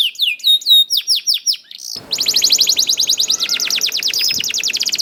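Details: Canary song used as a lure to make other canaries sing: slow sweeping chirps about twice a second, then an abrupt switch to a long, very rapid rolling trill.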